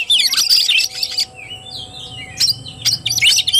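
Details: Oriental magpie-robin singing tarung style on 17 August 2021 opens with fast scratchy chatter, then gives a few smooth, descending whistled slurs before another short burst of sharp notes.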